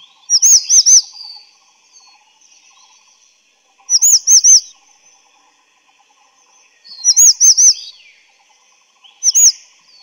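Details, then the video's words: Grey-chinned Minivet (Pericrocotus solaris) giving bursts of three to four high, thin, slurred whistles, repeated every few seconds; faint background chatter between bursts. "灰喉山椒鳥/Grey-chinned Minivet"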